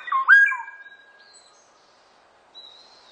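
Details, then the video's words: Black-naped oriole singing one rich, liquid whistle that slides down and then holds level. A long pause follows, then a thin, high, faint note. "꾀꼬리, 1번 듣기"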